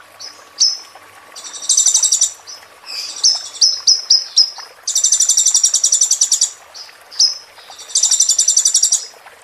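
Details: High, piercing ruby-cheeked sunbird song for training a moulting bird: single sharp whistles and quick strings of four or five whistled notes alternate with long, fast, buzzy rolling trills in three separate bursts.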